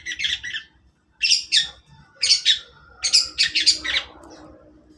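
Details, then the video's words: A long-tailed shrike in the morning sings short bursts of harsh, buzzy, scratchy notes, four groups within five seconds, each of two to four rasping elements, over a low steady background hum. "burung cendet di pagi hari"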